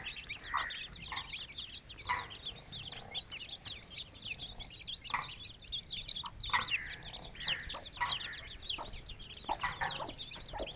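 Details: Aseel hen with chicks feeding in an open village yard; many chicks peep continuously in thin, high, overlapping notes, with occasional lower clucks and faint scratching noises.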